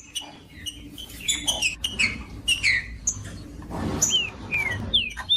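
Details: Green-winged saltator, a caged tournament bird, giving sparse bright whistles that slide downward, spaced about half a second apart, over a soft steady background hum and a brief noisy burst midway.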